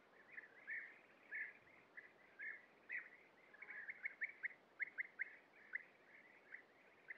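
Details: European bee-eaters at a breeding colony, adults feeding young at the nest burrow, give soft, rolling, liquid 'prruip' calls, several birds overlapping in quick, irregular bursts over faint background hiss.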